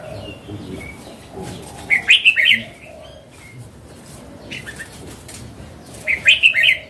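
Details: Mature wild Red-whiskered bulbul repeats the same short bubbly phrase of four or five notes twice, about four seconds apart. Soft chirps from other birds are heard in between.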